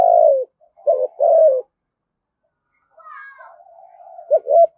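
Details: Spotted dove calling to lure wild doves, a rhythmic low cooing phrase: short hooted notes followed by a long drawn coo falling at the end, repeated, with faint softer cooing between phrases.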